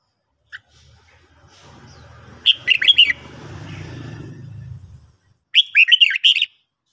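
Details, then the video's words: Morning song of a red-whiskered bulbul: a brisk whistled warble, then a stretch of low rumbling background noise, then a second clear, chirpy phrase near the end. "luyện chào mào hót buổi sáng"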